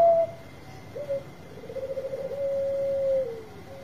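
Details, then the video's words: Bangkok-type zebra dove singing loudly, played as a lure to prompt reluctant birds to sing. Soft, low cooing: a brief opening note, then a short run of quick pulsing beats swelling into a long steady hum, over a faint continuous background tone. "Suara Besar Perkutut Bangkok Gacor Obat Pancinga yang lagi Males Bunyi"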